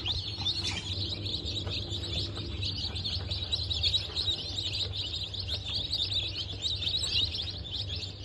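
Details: Bantam Cochin and Sussex chicks just out of the shell on 03.11.2024 keep up a continuous, crowded chorus of thin, high cheeping over a low mechanical hum.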